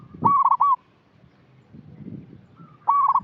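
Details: Short run of the local zebra dove lure call, meant for birds still in training: two loud, rapidly stuttered coo phrases separated by a quiet gap with faint low murmur.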